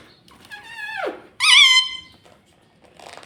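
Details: Pet rose-ringed parakeet talking: a falling, strongly harmonic voice-like phrase, then a brief pause and a louder, steady, bright tone with a slight wavering. Faint rustling follows near the end.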